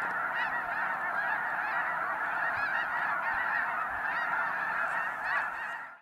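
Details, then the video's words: Spring migration of snow geese resting at Freezout Lake, a glacial-basin wetland in Montana: a dense, continuous chorus of countless nasal honks and yelps overlapping into a steady roar, with sharper higher barks now and then. "Snow Geese Migration"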